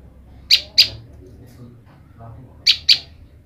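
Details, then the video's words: Olive-backed tailorbird female, kept apart from her partner, calls for the male: two pairs of loud, sharp chip notes about two seconds apart over faint background noise. "Prenjak lumut betina memanggil jantan"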